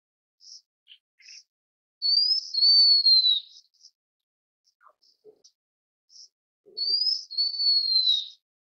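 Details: Blue-winged minla giving two high, thin whistled phrases, each rising briefly then sliding gently downward over about a second and a half, separated by a pause with a few faint short chirps and soft ticks in a quiet background.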